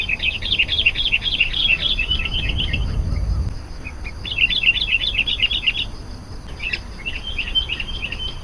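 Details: Sooty-headed bulbul lure song used to draw in wild birds: two long bursts of rapid chattering, bubbly notes separated by a pause, with a low rumble of background noise between them.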